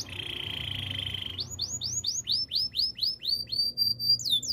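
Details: Canary song for training birds: a steady pulsed roll gives way to evenly spaced downward-curving whistles about twice a second, then a level high whistle and a final swoop.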